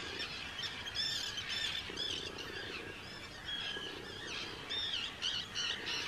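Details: Hundreds of Arctic terns in a breeding colony on Rottumerplaat, the Netherlands, 4 June 2023, fill the air with raspy, high screeching calls in irregular, overlapping bursts.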